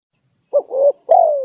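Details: Spotted dove, lure call used to bring in wild doves: a single low phrase with a short coo, a longer wavering coo, and a final loud coo that drifts downward.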